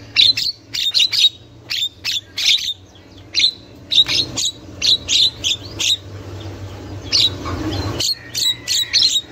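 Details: Wild Javan myna, a female giving chatter notes, played to draw young birds: clipped harsh squawks in quick clusters, repeated about twice a second with short gaps, over a low background hum.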